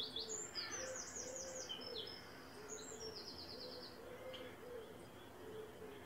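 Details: Mallards: eleven small ducklings with three adult males and one female, at a resident breeding site, about 9:55am on an overcast morning, 12 April 2024. High, thin peeps in quick falling-rising runs, over soft low, steady repeated notes.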